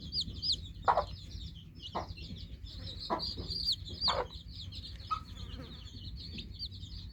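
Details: Newly hatched chicks chirp busily in high, slurred peeps over a low background rumble. Occasional louder knocking sounds recur about once a second early on.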